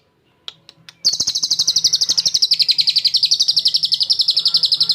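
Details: After a few sharp clicks, a champion lovebird, filled with cililin and used as a training master, launches into a loud unbroken ngekek chatter of rapid high pulses lasting about four seconds, with a slight drop in pitch partway.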